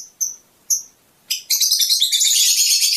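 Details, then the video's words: Two sharp high chirps from a Fischer's lovebird, then an abrupt run of dense, scratchy, high-pitched twittering that carries on to the end. The song is said to stimulate mating. "أجمل تغريد لطيور الفيشر"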